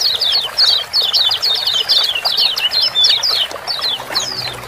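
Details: Lemon-bellied white-eye, locally kecial kuning, uttering ciak-ciak notes played to trigger singing in sluggish birds. Fast sequence of sharp, high, slightly downslurred chirps, nearly unbroken through the first three seconds, then spacing out.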